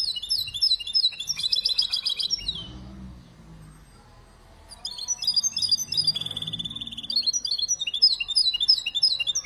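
A canary–goldfinch mule sings bright, rapid twittering phrases with fast trills and chirps, pausing briefly midway.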